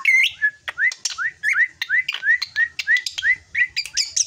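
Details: Maturing young drongo repeating a short rising whistled note about three times a second, each note preceded by a sharp click, ending in higher squeaky chatter.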